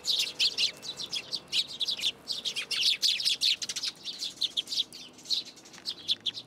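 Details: Sparrows gathering in a plum tree at a Tenmangū shrine on 17 June 2022, coming to be fed; dense, almost continuous high twittering from many birds, sharp chirps tumbling over one another throughout.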